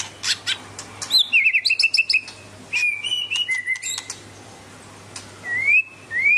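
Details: A captive Medan-type white-rumped shama in full song pours out a rich, varied run of clear whistles, quick rolling trills and rising slurred notes, with a faint low hum behind.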